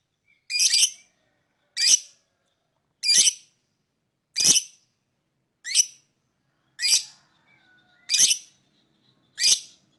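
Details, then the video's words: Lovebird chirping to lure other birds: sharp, high, broadband chirps repeated about every 1.3 seconds, eight in the stretch, with faint background tones between them. "lovebird singing & chirping sound to lure other birds chirping"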